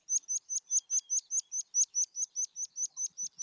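Meadow Pipit song: a steady run of about sixteen thin, high, sharp notes, roughly four or five per second, with nothing else heard.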